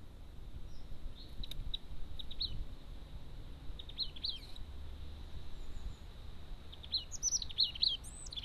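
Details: Crested tit heard at a garden bird feeder in woodland habitat: short high thin chirps and trilled notes in scattered bursts, sparse early, busier toward the end, over low rumbling background noise.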